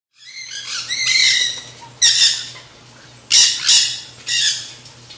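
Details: Nanday conures, black-hooded parakeets, at a backyard feeder eating seed mix; harsh broadband squawks, a long raspy call opening, then three separate screechy bursts spaced about a second apart, with a steady low hum beneath.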